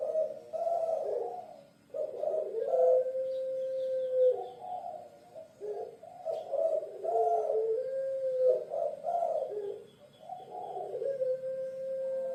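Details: A series of puter pelung dove coos, from a bird of Java once prized by kings. Each bout has rolling, bubbly notes that finish in a long, level drawn coo, repeated about four times.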